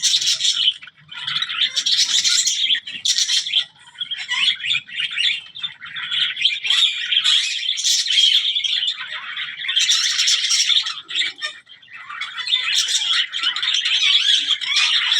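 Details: Zebra finches calling in a busy flock, a dense, unbroken wash of high, nasal chirps and squeaky tweets overlapping throughout, with brief dips in loudness between bursts.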